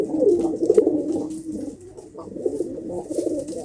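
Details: Domestic pigeons, locally kobutor, giving low, throaty rolling coos that fade and return, with faint high chirps in the background.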